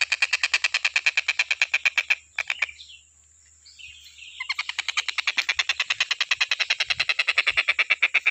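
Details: Stork-billed kingfisher, nonstop tutor recording for teaching other birds: quick harsh repeated notes, over three per second, a two-second lull with faint twittering whistles, then the rasping series returns.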